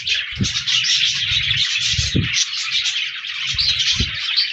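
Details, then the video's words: Budgerigars, 14 January 2024, chattering in a busy flock: rapid high chirps and buzzy warbles overlapping throughout, with three soft low thumps spaced about two seconds apart. "Budgies Birds Singing Chirping Sounds Parakeets sounds"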